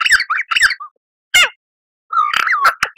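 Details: Lyrebird song used as master material for caged birds: harsh squawky notes in pairs, a single loud rasp, then a wavering warbled phrase mixed with sharp clicks.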